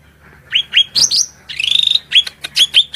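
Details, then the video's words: Cucak rante singing shrill, upslurred whistles and sharp chirps with a quick buzzy trill in the middle, all high-pitched in rapid bursts, used as a master sound for training songbirds, set over a flowing-water background. "SUARA MELENGKING CUCAK RANTE GACOR"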